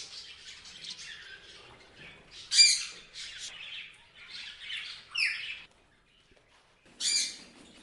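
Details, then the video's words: Several parrots chirping: a run of harsh, raspy squawks and scratchy chirps, some loud and sharp, others softer and overlapping, with a brief lull before a final loud screech. "Parrots Chirping Sound"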